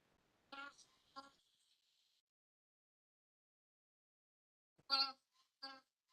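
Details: A White-winged Wood Duck (Asarcornis scutulata) gives its forest call, eerie enough to frighten listeners and source of its name meaning spirit duck: four nasal honks in two pairs, the first trailing into a thin, high drawn-out tone.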